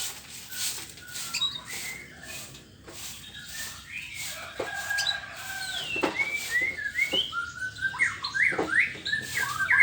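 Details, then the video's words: Morning song of a white-rumped shama, a varied, fast stream of clear whistles, sharp chirps and clicky notes, growing louder and denser toward the end. "ocehan burung murai batu di pagi hari"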